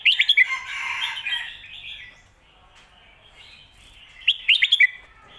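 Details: Red-whiskered bulbul singing phat kuai tiao / khayao khuat style phrases to teach birds at home; a loud fast cluster of chirpy notes opens, fades into warbling, and a second similar burst returns near the end.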